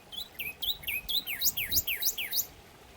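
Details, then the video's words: A Northern Cardinal sings a series of about ten loud, clear, down-slurred whistles that quicken partway through, against a quiet background; both sexes sing, for courtship and territory defence. "So we can listen to a short recording of the cardinals."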